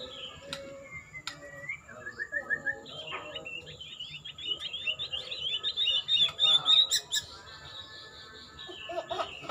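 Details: White-rumped shama (murai) in bowing posture, singing a rapid, varied song: a few low whistles and short trills, then a long run of fast, high, chattering notes rising in pitch, with sharp clicks near the end.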